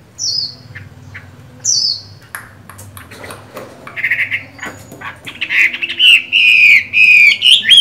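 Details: Chinese hwamei with green-bean eyes, moulting: two high, falling whistles, a pause with scattered clicks, then a loud, fluid song of rolling, warbled whistles.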